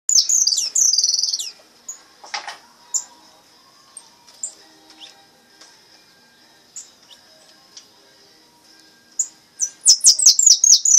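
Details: Brown (pardo) goldfinch singing a repique phrase: a loud burst of high twittering, then sparse scattered chips, ending in a rapid series of sharp descending notes.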